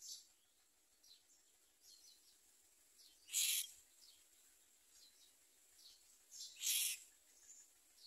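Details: Common myna young with the mother bird, refusing food and trying to bite her; two harsh, scratchy bursts about three seconds apart over a faint hiss, with quiet high chirps between.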